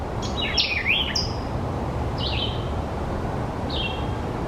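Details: Calling White-eyed Vireo, sounding somewhat like R2-D2: an opening cluster of squeaky, twisting, electronic notes, followed by two separate short downslurred whistles spaced over a second apart, against a continuous low rumble.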